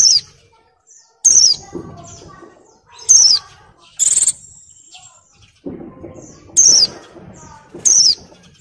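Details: A breeding-condition female Oriental white-eye calls for males while molting. She gives repeated piercing downslurred notes at uneven intervals, plus one buzzy trilled burst and quiet twittering between calls.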